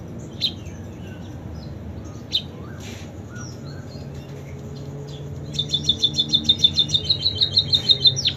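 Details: Munia with canary-song imitations: a few isolated high chirps in near silence, then a fast, steady trill of bright, high notes lasting about three seconds, with a low background hum.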